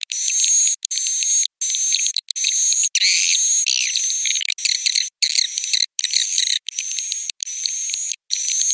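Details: Swiftlet roosting call of the 'piro 89' type: dense, high, buzzy twittering chirps repeat in bursts of about half a second, each separated by a short silent gap, at a steady pace.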